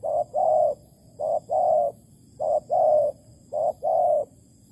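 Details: Malaysian spotted dove at a bare-bait bird trap, 11 August 2020. It gives four evenly spaced couplets of soft coos, each a brief note then a fuller longer one, over a low background hum.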